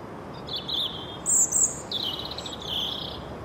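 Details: European robin singing in spring: thin, high, sweet drawn-out notes and short trills in separate phrases over steady broadband background noise.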